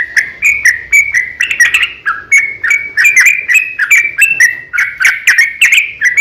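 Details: Sustained rapid chatter from a sooty-headed bulbul in long fighting song, intended to provoke other bulbuls to answer; dense, lively warbled notes flow without a break.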